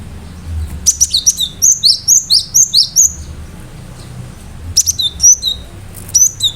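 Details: Vigorous gelatik batu song, the cinereous tit: a rapid run of about ten high, sharp two-part notes delivered roughly twice a second, then shorter bursts of piercing chips and whistles.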